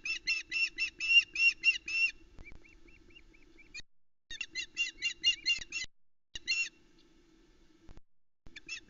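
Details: Female osprey shouting at the edge of the Loch Arkaig nest, Scotland, 17 July 2020, as the male brings a headless trout; loud rapid yelping run, then a soft series of thin notes, then more quick shrill yelps.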